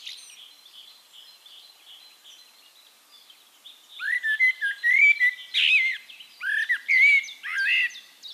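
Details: Eurasian blackbird singing in Castricum, the Netherlands: after a quiet start, loud, low, fluted warbled phrases arrive in a rich burst, with a thin twittering end. Another bird's faint, high, repeated chirps sound behind it.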